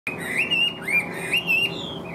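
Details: Caged Chinese hwamei, a large bird with yellow legs and bill, singing in the laughingthrush-tail style: clear whistled phrases, each rising and then gliding level, repeated three times with short gaps.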